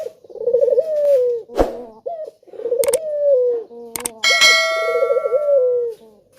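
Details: Male collared dove repeating its enticing lure call, a quavering coo followed by a long falling tone, three phrases in succession, punctuated by sharp metallic clangs and a ringing bell-like strike.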